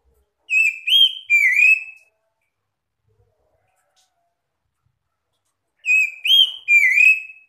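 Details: Answering song of an Oriental magpie-robin: a three-phrase burst of ringing whistles, one rising and two sliding downward, then about four seconds of silence before the same three-part burst repeats.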